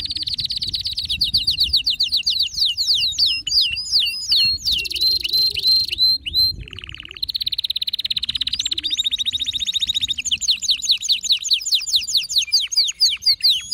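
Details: Excited male canary singing to stir other canaries into song: long sequence of rapid high trills and rolls, changing tour every few seconds, with hooked whistled notes and one brief lower buzzy roll.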